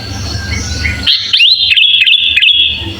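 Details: Sooty-headed bulbul 'isian' song used as a master recording: a second of broad hiss and low rumble, then loud clear whistles holding a high pitch with quick dips and breaks.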